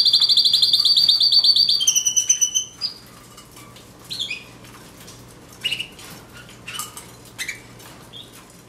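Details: Canary's rapid high rolling trill and a brief lower whistled phrase, then near silence with occasional clicks and soft chirps.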